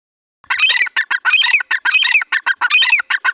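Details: A pair of partridges (teetar) calling: loud, harsh, rapidly repeated squawking notes in a dense run of about three seconds, with no other sounds.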